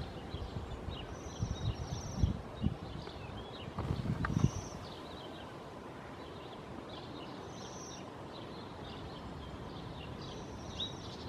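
Bohemian waxwings give thin, very high, sibilant trills in short bursts every few seconds, set against a steady low rumble of wind and background noise.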